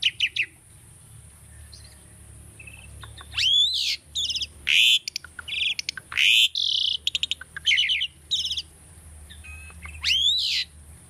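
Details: Tame caged Asian starling singing a bird training song: after a quiet start, loud rising whistles, harsh buzzy rasps and rapid clicking bursts follow one another in quick irregular phrases.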